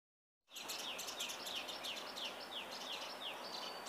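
A Brahminy myna gives quick, high, downslurred chirps, about three a second, over a steady hiss of background noise.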